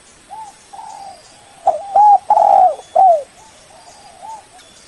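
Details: Spotted dove calling to lure a rival: faint soft coos frame one loud phrase of two quick curved notes, a long steady coo and a sliding, descending final note.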